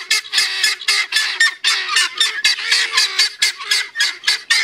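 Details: Several male helmeted guineafowl gather and give harsh, grating calls in rapid overlapping succession, possibly an alarm or a display to the females of the flock.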